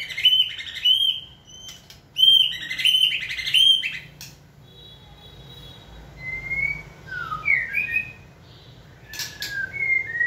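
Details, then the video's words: A White-rumped shama in song training, made used to human stimulation: two loud bursts of rich, rapid warbling, then quieter, scattered whistled and slurred notes after a pause. "Kỹ thuật kích thích lửa cho chim hót (shama bird)"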